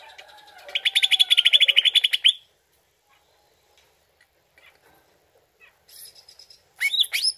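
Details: Greater green leafbird song played as a lure to make the bird answer: a fast burst of buzzy repeated chirps for about a second and a half, then near silence, then a few sharp high rising notes at the end.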